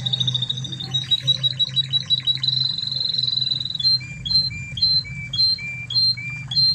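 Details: Spanish Timbrado canary from Spain, master recording for training: rapid chattering trill, then spaced paired notes, a high chip followed by a lower slurred whistle, repeated about twice per second.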